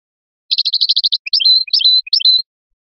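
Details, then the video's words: European goldfinch of the Biskra type singing in the Felyachi style: a fast run of buzzy twittering notes, then clearer whistled slurs and short chips, all high-pitched, with no other sounds. "تغريد مقنين بسكرة الفلياشي الرائع"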